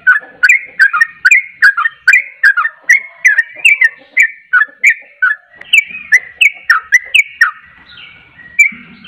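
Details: Yellow-vented bulbul (trucuk) singing persistently: a long chain of rich, rolling whistled notes, rapid at first and thinning toward the end, ending with a faint low buzz.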